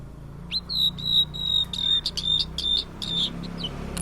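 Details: Blue-and-white flycatcher, a migrant often seen in Indonesia, singing clear whistled notes that hold steady on one pitch, followed by a rapid series of short repeated chips, with a faint low hum beneath.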